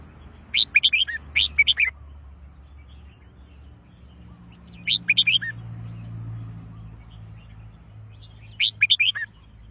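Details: Red-whiskered bulbul singing short phrases of quick, liquid warbled notes that rise and fall, with three bursts spaced roughly four seconds apart over a faint low rumble.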